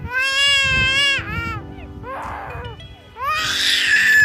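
A Black-collared Starling gives loud, wailing calls that rise and fall like a crying child, then harsh, scratchy screeches. Faint background music is heard.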